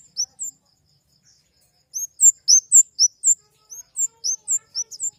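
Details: Flowerpecker of family Dicaeidae, called kemade, delivers two opening chirps, then rapid thin high notes alternating up and down in pitch, in two bursts over five seconds.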